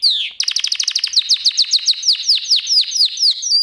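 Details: Canary song used as a song lesson for pet canaries: one falling whistle, then a fast series of sharp descending notes, repeated many times a second, slowing into spaced downward sweeps.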